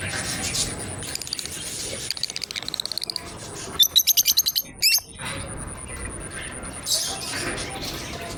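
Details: Pair of pet lovebirds playing together, giving a quick run of sharp, high chirps in the middle, with fainter scattered tweets before and a steady background hiss throughout.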